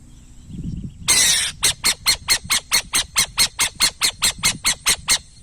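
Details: After low rumbling, a burrowing owl lets out a sharp hissing burst, then a long run of about seventeen harsh, raspy squawks, evenly spaced at around four per second.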